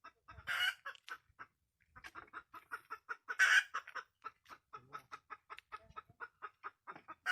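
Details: Red junglefowl hen cackling: loose series of soft clucks that quicken into a dense run, punctuated by two strong, harsh squawking bursts; no other sounds stand out.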